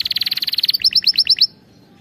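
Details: Canary song used for training canaries to sing correctly: a fast even trill of high bright notes, then six slower, spaced two-part chirps ending abruptly, with quiet low background hum.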